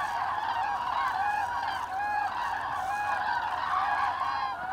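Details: Migrating flock of common cranes in autumn over Hesse, Germany, 25 October 2021; many birds calling at once, a steady chorus of loud bugling, rolling notes with rising and falling pitch.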